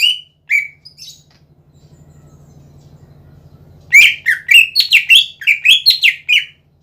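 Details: Greater green leafbird in gacor song, used as a lure to prompt other leafbirds to sing: loud bursts of rich whistled and chattering notes, slurred and repeated fast, with a pause of faint low hum between phrases.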